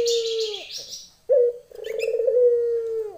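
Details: A female Barbary dove calls to a male, lenjeh style. A long level coo fades out, then a short bright note leads into a trilling, rolling coo. A hissing, chattery noise sits high above at the start.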